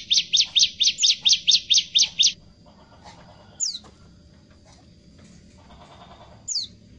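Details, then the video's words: A small prinia gives a loud, rapid run of about ten sharp, high notes, then two single down-slurred chips after pauses. "ciblek kecil tapi suara menggelegar"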